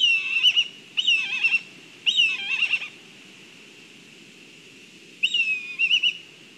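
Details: Whinnying calls of black kites during a food delivery at the nest in Kurzeme, Latvia, on a live nest camera: four tremulous bursts, each a sharp whistle dissolving into a wavering, descending trill, separated by pauses.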